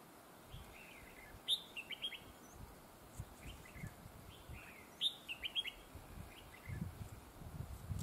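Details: Decoy red-whiskered bulbul in a trapping setting, praised for its double linked voice; two bright, quick warbled phrases a few seconds apart, each with sharp sliding notes, amid low background thumps.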